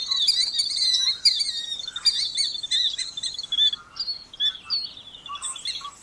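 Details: North American killdeer (Charadrius vociferus): dense bursts of shrill, high piping notes, busy at first and then thinning into scattered, down-slurred single calls with softer, lower chirps mixed in.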